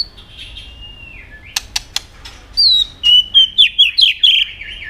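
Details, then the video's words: White-rumped shama, a caged bird, singing competitively: after a soft whistle and a few sharp clicks, a quick series of six bright rising-falling whistled notes in rhythmic sequence. "chòe lửa hót nhiều giọng nết búng cầu.kích chòe lửa hót đấu đập đuôi căng lửa"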